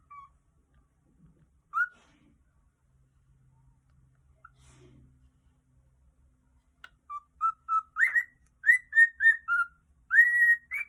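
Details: A contented cockatiel gives a lively run of clear, rising whistles, the chirpy sound of a happy bird, recorded 16 June 2020.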